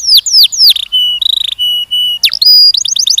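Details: Canary song from young birds trained for mating: quick falling whistles, then flat sustained tones and a rattling trill, a sharp rising note and a burst of rapid chirps.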